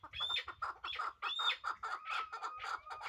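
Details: Brief burst from a pair of hybrid chukar partridges: a quick series of harsh clucks with sharp rising squeaky tops, about three notes each second.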